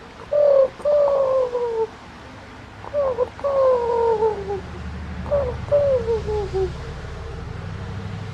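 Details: A dove reacts to a person imitating its coos, giving three soft cooing phrases about two seconds apart. Each is a brief note followed by a longer, gently falling coo, over a low background hum.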